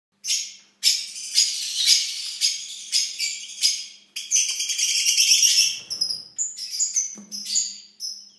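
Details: Captive Harlequin quail at the start of the breeding season give high, sharp, metallic notes in quick bursts, about two each second, with a faint low hum behind.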